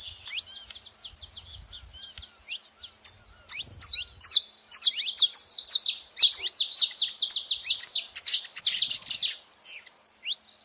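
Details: A flock of saffron finches noisy at a feeder: continuous high, bright chirping that thickens into a packed chatter of overlapping upslurred notes, faint low sounds early on.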